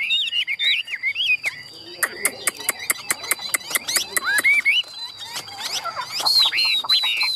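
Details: Captive Chinese Hwamei, hand-tame and large-bodied, giving fighting song: bright slurred whistles open and close the passage, with sharp regular clicking and short scattered notes in between.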